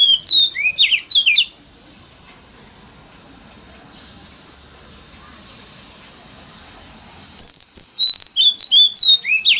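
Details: Oriental magpie-robin lure song in wild-forest voice, played to get other magpie-robins singing: rapid twisting whistled phrases, then a long stretch with only a thin steady high hiss, and the quick varied whistling returns near the end.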